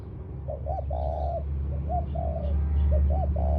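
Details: Ground decoy spotted dove cooing two low hollow phrases, each a couple of short upturned notes then a longer soft coo, against a loud steady low hum.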